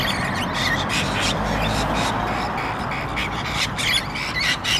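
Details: Two pairs of Australian rainbow lorikeets brawling on the ground for dominance, pecking ferociously; grating squawks repeat irregularly, several per second, above constant low noise.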